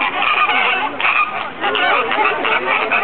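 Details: Short burst of busy flamingo flock noise at the Bronx Zoo: many overlapping nasal honks and chattering calls, steady and loud throughout.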